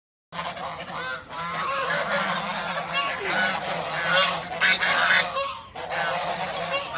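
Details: Several white domestic ducks kept as pets calling together: overlapping loud, nasal, harmonic honks in a continuous, irregular chorus, with some brief higher, sharper notes mixed in.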